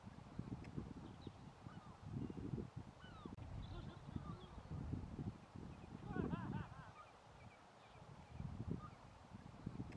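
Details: Mediterranean gulls at Locmariaquer give nasal, arching 'kee-ow' calls, several overlapping around six seconds, over a heavy rumble of wind or surf.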